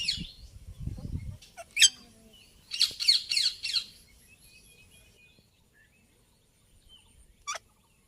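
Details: Indian ringneck parakeet making noise: a low thump at the start, then a short cluster of shrill chattering calls, followed by near silence and one final sharp squeak.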